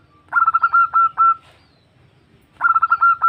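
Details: Zebra dove female calling to a male, used for luring: two bursts of rapid staccato coos, each a short stuttering run of even mid-pitched notes, separated by about a second of quiet.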